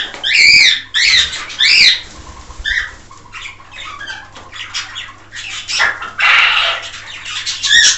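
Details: A male common quail calling his hens gives a quick liquid three-note call, then softer scratchy clicks and rustling, with a low steady hum underneath.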